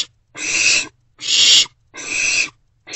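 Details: Nighttime owl box scene, 27 March 2024, an owlet eating a vole a parent brought: steady, evenly spaced breathy screeches, each lasting about half a second with a pause in between, harsh and noisy in tone.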